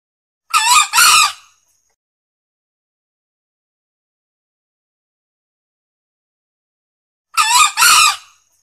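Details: A male green junglefowl, used as a lure call for hunting, gives two short, harsh crows, each a quick two-part burst, about seven seconds apart with silence between.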